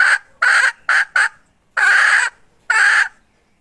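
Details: Hen from 2021 calling in irregular harsh bursts: four short squawks, then two longer drawn-out nasal notes, separated by clear pauses.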